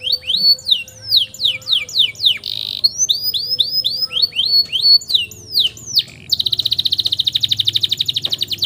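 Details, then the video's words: Canary long roll used to train young canaries: varied tours of slurred whistles with a buzzy burst, ending in a long, even, rapid rattling roll. "KENARI NGEROLL PANJANG UNTUK MASTERAN KENARI PAUD"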